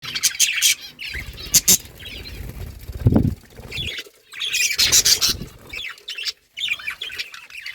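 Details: Budgerigars warble in busy bursts of chattering, scratchy chirps and squawks, high and fast, broken by short pauses and some low thumps.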